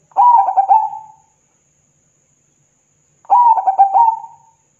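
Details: Song of a zebra dove meant to make rival doves answer: a pair of hollow, bubbling coo phrases roughly three seconds apart, each choppy at first then sliding into a sustained low ending; otherwise quiet apart from a faint high hum.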